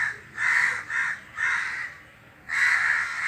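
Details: A group of crows in a tree calling together: four rough, grating caws, the first three close together, then a pause of about a second before a final long harsh caw.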